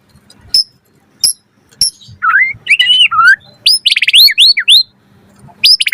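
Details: White-rumped shama singing as a trigger for other birds: isolated sharp high ticks, then looping whistled slurs and a quick chain of bright rising notes, ending with another high upsweep.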